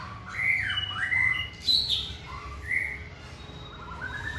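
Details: White-rumped shama in a training session sings mellow gliding whistles, one bright high note in the middle, then softer rising phrases fading out; light background hiss.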